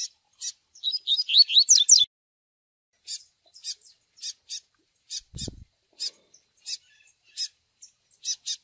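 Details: Double-collared seedeater 'Tui Tui' song with chick peeps for pairing caged birds: a fast phrase of rising whistled slurs, then a string of dry, high, clicking chips at uneven intervals, plus a brief low thump.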